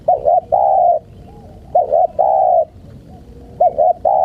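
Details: Spotted dove cooing to lure wild birds: quick double coos followed by a drawn-out hollow note, the phrase coming three times in a short stretch, steady and mellow.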